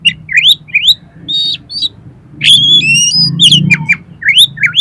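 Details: Kacer, Oriental magpie-robin, singing a rapid run of rising whistles, buzzy trills and sharp high notes, meant to spur another kacer into song and tail-spreading; low background hum throughout.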